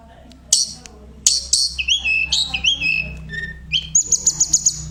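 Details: Tledekan 'vocal teacher' songbird: sharp high bursts, then a series of short slurred whistles stepping down, finishing with a fast run of six bright high chips.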